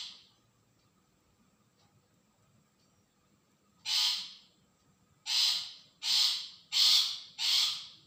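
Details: ['Long-tailed shrike calling as a lure to draw a response: near silence for four seconds, then five harsh, scratchy notes given about once a second, each loud and abrupt.']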